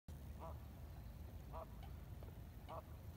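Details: Ducks on the Colorado River at Lake Havasu near Needles, California, recorded with an iPhone 7 at sunrise, 6:16 AM on April 12, 2021. Three short nasal quacks about a second apart over low water rumble.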